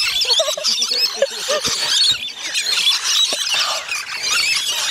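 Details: Rainbow lorikeets in a feeding frenzy at Bungalow Bay Koala Village, Magnetic Island, off Townsville, Queensland, Australia: a dense, unbroken din of shrill screeches from many birds, with people talking nearby early on.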